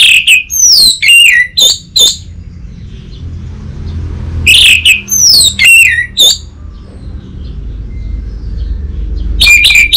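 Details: Orange-headed thrush song used to coax and train untrained birds: two clusters of sweeping, ringing whistled notes separated by a pause of about two seconds, with a low rumble like distant traffic beneath.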